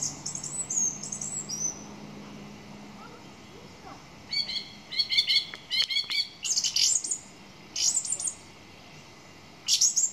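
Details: A song thrush sings distinct phrases, thin high whistles first, then clustered sharp notes repeated in short bursts with brief silences between each phrase.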